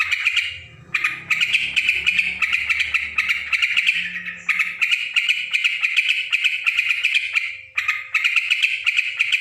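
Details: Noisy yellow-vented bulbul with long runs of dense, harsh chattering, separated by a couple of short silences, loud and steady, with a faint low hum in the first half.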